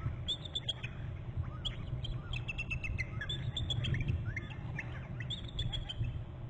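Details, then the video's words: Two adult bald eagles at their nest on Hornby Island, recorded by a nest camera on November 13. They trill together after one flies off and returns and the mate arrives. The calls are high, thin, rapid piping notes in bursts over a steady low rumble. "trills and mom on bst; flies off and back and dad in from left and both trilling"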